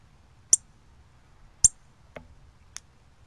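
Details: Cardinal call, October 24, 2020: two loud, sharp, high chips about a second apart, followed by a duller knock and a fainter chip, over quiet background.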